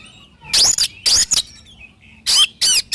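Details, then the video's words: Oriental magpie-robin giving loud, squeaky, harsh notes in short bursts, some with arching whistled overtones, separated by brief silences, and a faint thin whistle between them. "SUARA BURUNG KACER GACOR COR"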